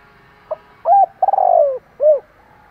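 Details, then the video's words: Spotted dove with fighting spirit, cooing to provoke other doves: a short soft note, then a level hoarse coo, a longer stuttering coo that slides downward, and a final rounded coo, all low and mellow, with faint background hum. "chim cu gáy máu chiến thúc gù kích bổi cực sung"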